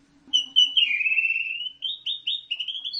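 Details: Orange-headed thrush, caged, gives a sweet whistled phrase: two short opening notes, a long downward-then-level slur, then several quick rising and falling whistles, over a faint low hum.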